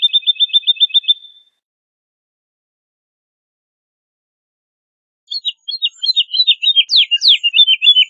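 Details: Woodlark (Lullula arborea), song.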